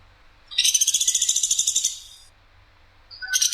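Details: Woodpecker from Sampit, masteran recording with clear, harsh, sharp delivery: a single loud scratchy rattle of rapid pulses, nearly two seconds long, followed by a quiet pause and the onset of the next.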